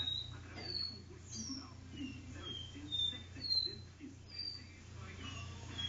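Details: Caged caboclinho singing its do-re-mi song indoors in a living room; clear whistled notes, some rising and some falling, spaced about half a second apart over a steady low hum and faint room noise.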